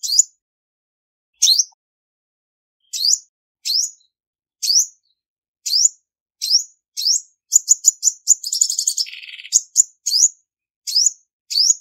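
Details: Spaced, sharp high chirps from a female olive-backed sunbird, broken in the middle by a quick stutter of notes and a dry buzzy trill, then more single chirps.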